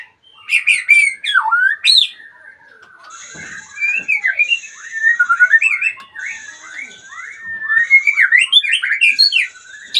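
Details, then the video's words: Song of a retired champion magpie-robin: sharp opening notes and a falling whistle, then a long thin sustained tone, building into a rapid, jumbled sequence of twisting whistled phrases. "Murai Badheuk Sang Juara Pensiun"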